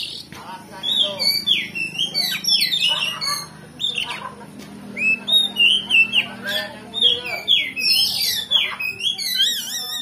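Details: Oriental magpie-robin delivering loud, varied song to provoke a rival: quick looping whistles, chatters and scratchy notes tumbling about three per second, with a faint low hum underneath.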